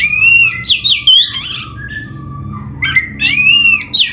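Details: Oriental magpie-robin song with dense filler: sliding whistled notes over harsh buzzy squawks, a quieter stretch of thin drawn-out whistles in the middle, then another loud run of twisting whistles.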